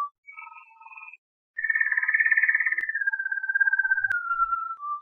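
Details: Malinois canary singing low, rolling, gurgling trills, a short pulsed phrase followed after a pause by a long warbling roll that slowly drops in pitch and ends in a steady bubbling tour; no other sounds.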